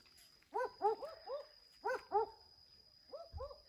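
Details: A pair of owls calling to each other at the end of the day in Australia: short, arched, barking hoots in quick bursts of two to four notes, with pauses between bursts and a steady faint high hum.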